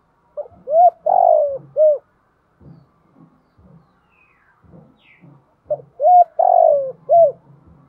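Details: Kept spotted dove used as a decoy, 'thổ' voice: two cooing phrases about five seconds apart, each a short note, a long falling coo and a short end note, with low soft grunting notes in between.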